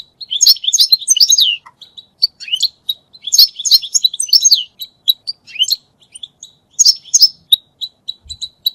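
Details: European goldfinch song used for mating and for teaching goldfinches to sing: bursts of rapid, tinkling twitters and buzzy trills high in pitch, delivered in clusters around one, three to five and seven seconds, with short liquid notes between, clean background.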